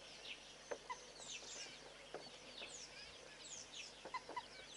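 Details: A Southern pied babbler hopping along a fence gives quick, high, scratchy notes that slur downward, scattered and overlapping, with a few sharper clucking sounds in between.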